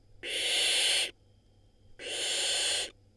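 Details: Barn owl chick in a nest in Israel, from eggs laid April 2022, around a rodent meal: two drawn-out, airy, rasping hisses of under a second each, separated by a brief quiet pause.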